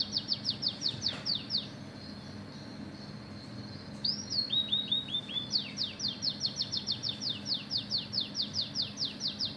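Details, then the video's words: Oriental magpie-robin singing canary-style phrases: a quick string of falling whistles, a short pause, a rising-then-flat note with lower stuttered chirps, then a long rapid run of sweeping whistles, over a low hum. "BURUNG KACER INI JADI GACOR ISIAN KENARI"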